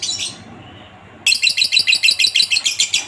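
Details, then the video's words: Pet lovebird delivering a 'ngekek' chatter, used as a master recording so other lovebirds learn to sing: a short high chirp burst, a pause, then a fast run of shrill rattling notes, about three per second. "masteran burung Lovebird ngetik,ngekek cocok buat lb lain biar cepat gacor ,ngekek panjang"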